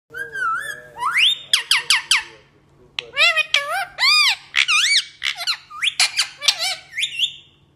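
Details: Parrot saying "Main Mitthu" in bursts of rapid, squeaky syllables with strong harmonics, mimicking speech in a short phrase over a steady low hum.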